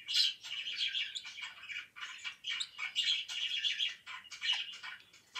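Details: Pet budgerigar chirping: a dense, continuous warble of quick, buzzy and squeaky notes, bursts running together with brief pauses near two seconds and four and a half seconds, in a quiet setting.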